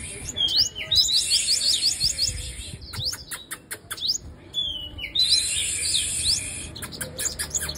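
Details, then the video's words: A female sunbird singing: two bursts of thin, very high, rapid twittering notes, with sharp dry clicks between the phrases and a faint low rumble behind. "Hút mật 5 màu mái Vip , nghe là hót."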